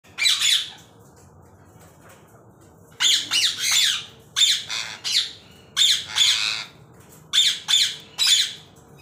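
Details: A violet ring-necked parakeet gives harsh, shrill screeches in quick pairs and short bursts, about eight loud squawks over several seconds, in a small quiet room.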